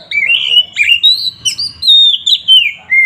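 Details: Oriental magpie-robin in full 'gacor ngeplong' song, used to excite rival magpie-robins into fighting mood: an unbroken stream of clear, sweet whistles, swooping up and down and linked into long sustained phrases.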